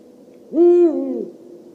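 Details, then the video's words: An owl gives a single low, steady hoot lasting under a second, with a smooth tone and a softer trailing tail, against a quiet background. "suara burung hantu"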